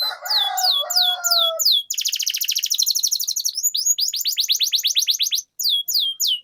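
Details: Canary long-roll song to coax other canaries into singing; swept notes over faint lower whistles, then a rapid buzzing trill and a long string of quick falling notes, a brief pause, more sweeps.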